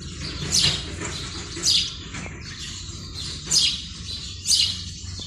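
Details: A male house sparrow calls at a nest box early on a February morning in breeding season, calling to attract females: four bright, high chirps about one to two seconds apart over a low rural background hum.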